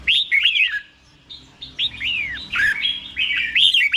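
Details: Caged-style red-whiskered bulbul singing slow, clear เบิ้ล (doubled) phrases meant for young birds to learn; rapid chains of bright slurred whistles rising and falling, with brief gaps between runs.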